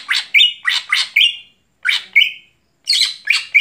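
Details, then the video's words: Greater green leafbird in full song at night: rasping downward-sweeping notes ending in brief held buzzy tones, repeated in rapid clusters separated by short silent gaps. "Mitos Cucak Hijau Gacor Malam Hari"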